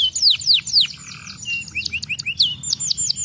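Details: Domestic canary singing: several sweeping downward whistles, a short low buzz, then a chatter of quick chirps and fresh descending notes.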